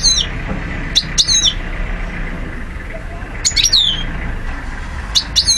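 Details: European goldfinch from Algeria, recorded 2012, singing the classic song: short bursts of high twittering notes with falling, slurred whistles, repeated at intervals over a low steady background hum.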